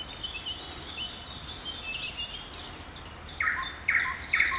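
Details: Thrush nightingale song at Kamień Pomorski, Poland, on 11 June 2014: a run of thin, high whistled notes gives way to loud, harsh clacking bursts repeated about twice a second, over faint background hiss.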